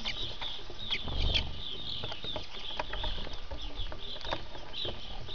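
Lesser redpolls twitter in quick, thin, high chips and short trills throughout, over a steady low rumble.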